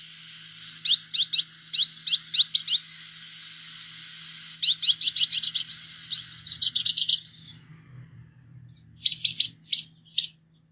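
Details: Green-headed tanager: runs of high, sharp, downslurred seep notes in groups of five to eight, pausing briefly, with a steady hiss behind and a final burst of buzzy ticks.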